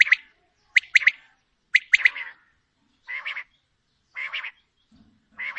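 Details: Female common quail uttering clipped two- and three-note chirp phrases about a second apart, followed by softer buzzy, rasping notes; otherwise quiet.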